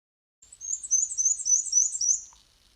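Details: Black-and-white Warbler, a breeding species in Newfoundland, sings a very high, thin, squeaky series of about eight quick two-note see-wee phrases, undulating up and down like a squeaky wheel.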